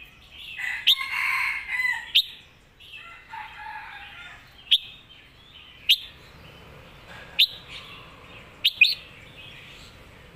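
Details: Master song of a competition red-whiskered bulbul: short bright whistled notes about every one to one and a half seconds, with some softer warbling in between.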